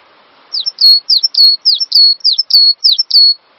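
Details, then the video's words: Cinereous tit song from a training recording for songbirds: a continuous run of about nine loud whistled phrases, each a quick falling note joined to a flat sustained tone, delivered briskly with no background sound. "Master Burung Gelatik Batu Full Ngisi"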